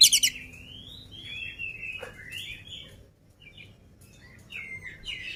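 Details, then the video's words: Oriental magpie-robin, described as agile and unfed, singing softly and at a distance: long gliding whistles and short slurred phrases after a brief trill, with a steady background hiss. "KACER GIRAS/GESIT BELUM MAKAN VOUR GACOR"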